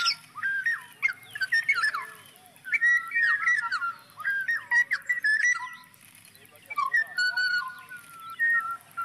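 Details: Black-naped oriole pouring out a busy run of mellow whistled notes, wavering up and down and interspersed with scratchy chatter, with a short lull around the middle before the whistling resumes.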